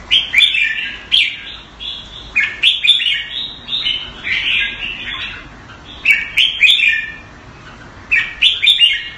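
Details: Caged red-whiskered bulbul in Singapore, kept Thai style, giving loud clusters of chirpy, fluty phrases separated by brief quiet gaps, with sharp clicks at the start of several bursts.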